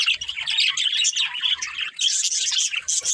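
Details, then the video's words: Pet budgerigars chirping: a dense, continuous high warbling chatter of rapid scratchy and whistled notes, with barely a break throughout. "Cute Budgies Chirping Sounds"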